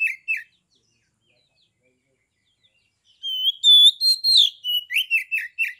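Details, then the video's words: Oriental magpie-robin, a caged contest bird from Kebumen, Central Java, singing in a fighting mood to provoke rivals: two short slurred notes, a pause, then a run of rich whistles and falling slurred phrases. "KACER TIPE PANAS / DINGIN PASTI AKAN NYAUT GACOR, MERESPON SUARA KACER NGEPLONG INI"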